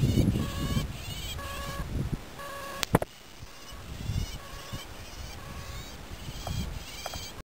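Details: Northern shrike hunting bugs, giving short, nasal, evenly pitched calls about every half second, then fainter ones, over steady low wind rumble and a sharp knock.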